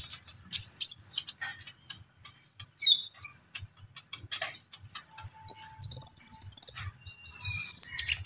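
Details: Common iora singing vigorously (gacor): rapid, high-pitched chirps and short whistled trills in dense bursts, with several longer buzzy notes near the end and brief pauses between phrases.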